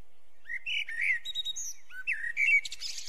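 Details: Mellow, flute-like whistled notes rising and falling from a Eurasian blackbird, repeated in a loose sequence before breaking into a hissy, high twitter at the end.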